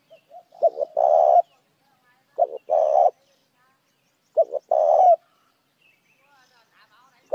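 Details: Three spotted dove phrases meant to lure other doves, each soft lead-in notes, two short coos and a long hoarse one, followed by quieter faint sounds and the start of another phrase.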